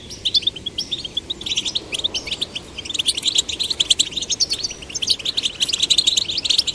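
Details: Young caged goldfinches, male and female chicks, stimulated to sing; a fast, continuous jumble of high tinkling chirps and short trills that carries through the whole stretch.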